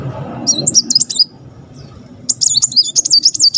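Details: Muncang sunbird song in the tembakan style: a quick wavy run of sharp high whistles, a pause, then a longer, tightly packed rolling phrase, with low rumbling noise at the start.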